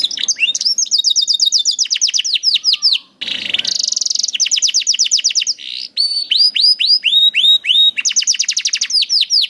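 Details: Canary song for tutoring young canaries: dense rapid trills and repeated downslurred whistles, a brief noisy gap, then more rolling tours and bright rising and falling notes.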